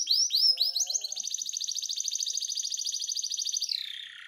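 A canary sings a bright, high phrase of quick whistled notes, then a long even trill of rapid repeated notes that slides down and fades.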